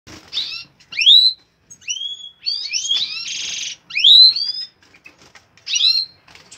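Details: European goldfinch of the major form, recorded in 2016, singing bright twittering phrases with quick upswept whistles, a buzzy burst in the middle and short pauses between phrases.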